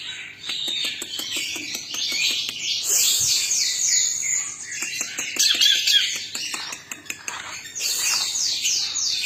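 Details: Twelve greater green leafbirds chattering in full song: a thick overlapping mesh of high, fast downslurred whistles and scratchy notes, with bursts of rapid slurred phrases rising above it.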